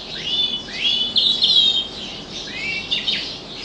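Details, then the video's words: Singing canary giving a series of high, upward-sweeping whistles and thin bright phrases, some notes run together into short trills, with a brief pause before the phrases resume. "kenari bernyanyi"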